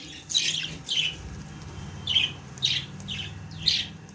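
Young budgerigar giving six short, raspy, high chirps, roughly one every half second to second, over a faint low indoor hum.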